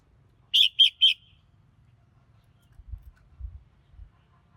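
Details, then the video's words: Three rapid, evenly spaced high chirping notes from a red-whiskered bulbul, then silence apart from a few soft low thumps. "Chào Mào Hót Hay Nhất Thư Giãn Cùng Tiếng Chim Hót"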